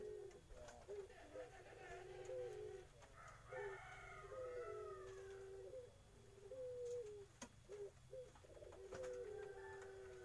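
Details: Young puter irak dove cooing softly at a distance, a series of low hollow coos with rising and falling notes over a steady background hum and faint clicks.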